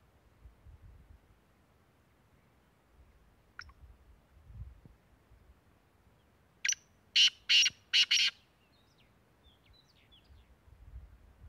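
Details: Black francolin, known locally as kala teetar, recorded in Tank, Khyber Pakhtunkhwa, Pakistan: one rapid phrase of four loud, scratchy, buzzy notes, with faint low background rumble and a few soft distant chirps.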